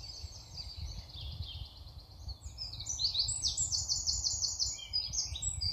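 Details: House sparrows in a UK garden in spring, adults feeding hungry young: several birds chirping at once in a dense, overlapping chatter of short, bright notes, over a steady low outdoor rumble.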